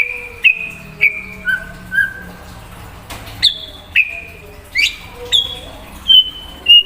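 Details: White-rumped shama in full song aimed at provoking an untrained shama: a steady series of clear whistles, each starting with a sharp click-like upstroke, alternating pitch and repeated roughly every half second.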